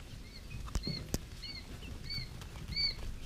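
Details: Three-day-old quail chicks giving short, clear, slightly arched peeps, about five loud ones spaced roughly every half second with softer peeps between, plus a couple of sharp taps and soft rustling underneath.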